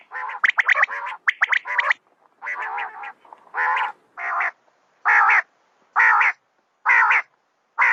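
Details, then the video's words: Female common quail opens with rapid clipped harsh notes, then settles into steady, evenly spaced rasping bursts about once a second. "Raat Ki Liye Batair Ki Awaz | Batair Ki Awaz | Common Quail Calling | Female Quail sounds 2020"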